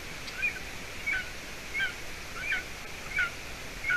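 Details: Seven-week-old golden eaglet on the nest in Latvia, evening of 30 June 2020, when the female arrived with roe deer hide; six high, squeaky two-note chips spaced roughly two-thirds of a second apart.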